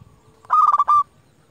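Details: Zebra dove used as a lure to call rivals gives a single loud half-second rolling coo, trilled and pulsing, in an otherwise quiet setting with faint low background rumble.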